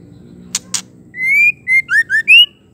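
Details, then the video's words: Female white-rumped shama call that stirs males to sing: two sharp clicks, then a long rising whistle followed by a rapid run of short, looping whistled notes. "Suara murai betina ampuh sekali cukup 60 detik bikin semua murai langsung ngamuk"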